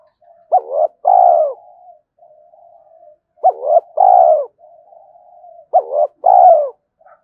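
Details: Spotted dove decoy cooing to lure wild doves into a fight, giving three paired coos, a brief upswept note followed by a drawn-out descending coo, roughly every two and a half seconds, soft murmuring in the gaps.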